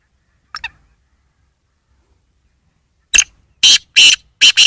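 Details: Black francolin calling: after a brief faint note and a pause, a burst of harsh, rasping grating notes, three to four in quick succession, in otherwise quiet surroundings.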